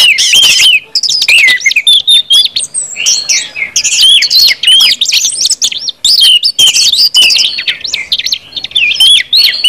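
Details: Ngeplong song of an orange-headed thrush, aimed at making other birds sing: bursts of bright, high, sweeping whistles and buzzy chirps repeated in quick phrases separated by brief gaps.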